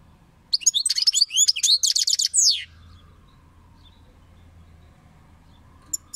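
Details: European goldfinch singing a two-second burst of rapid, high, tinkling twitters and sweeping chirps that ends abruptly, followed by near silence with a faint low hum and one brief chirp at the end.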